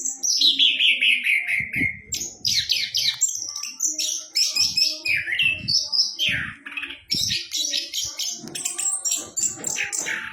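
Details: Orange-headed thrush (anis kembang) in loud, varied song: a long descending whistle opens, followed by fast mixed phrases of whistles, slurs and harsh chatters, rising and falling, with soft low knocks beneath.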